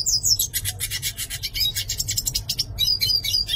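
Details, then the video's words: High-pitched yellow-faced siskin song: a fast scratchy trill running for several seconds, framed by quick twittered whistles, over a faint low hum. "Pintassilgo do nordeste cantando - Yellow faced Siskin Singing"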